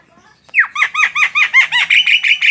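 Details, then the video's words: Starling or myna pouring out a fast, loud run of about a dozen repeated ringing, arched notes that merge into a continuous buzzy tone. "Suara burung Jalak"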